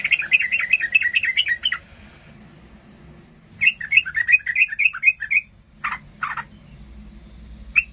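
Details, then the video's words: Yellow-vented bulbul singing excitedly to goad rivals into a fight: two bursts of quick, chattering, up-and-down warbled notes, followed by a few isolated harsh chips over a soft background hum. "Suara trucukan gacor Garuda emosi ini paling pandai membuat lawan jadi Ngamuk tarung"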